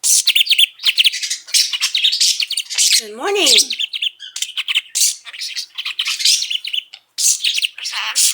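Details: Five-year-old male pet budgerigar chattering indoors, a rapid run of high buzzy warbles, clicks and squeaky mimicked syllables, with one brief lower wavering tone near the middle, nearly continuous throughout.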